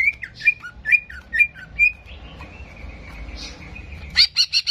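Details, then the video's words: A greater green leafbird gives quick, high, slurred whistled phrases, about two per second, then a sustained warbling trill ending in loud clipped notes. "PANCINGAN CEPAT MENAIKAN EMOSI CUCAK IJO"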